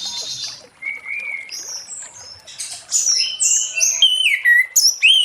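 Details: Late-afternoon ngeplong song of an orange-headed thrush, meant to draw other thrushes into singing: varied high whistles and short slurred notes, sparse at first, then a quick, dense string of bright rising and falling phrases.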